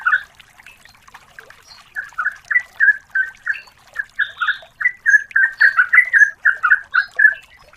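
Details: Yellow-vented bulbul female calling to a male, played as a lure: after a quiet start, a brisk train of gurgling, slightly rising chirps builds and runs on without a break.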